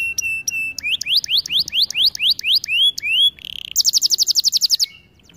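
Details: Canary training song with clear whistled notes, a series of rising slurs, a short buzzy burst, then a very high rapid trill before the phrase stops.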